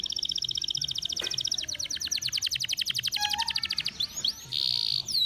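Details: Canary song used as a lure to stimulate other canaries to sing: rapid trills of repeated high notes, shifting to buzzy rolls, brief descending whistles, then a sustained bright tone near the end; faint low hum beneath.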